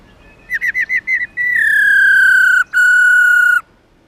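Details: Female black-throated laughingthrush, subspecies lugens, giving the 'ro ro' call that excites males: a fast run of six chattering notes, then a long loud falling whistle with a brief break midway.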